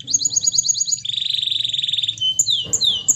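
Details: A canary sings a quick series of about eight high chirps, then a long, fast rolling trill, and ends with sharp whistled and falling notes. It is used as a lure to stimulate quiet canaries into singing.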